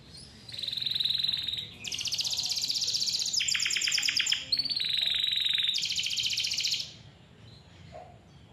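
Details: Canary song offered to encourage young or reluctant canaries to sing: a series of rapid, buzzy rolling trills switching between pitch levels for about six seconds, then quiet.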